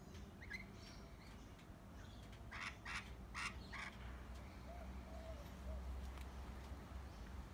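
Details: Lorikeets in trees giving a quick run of about four harsh, broadband screeching bursts, followed by faint, softer calls over a steady low rumble of background noise.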